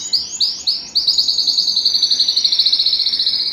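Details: Canary song intended to excite birds for mating: a few separate upward-swept high notes, then a rapid even trill of repeated rising notes, about eight per second, held to the end.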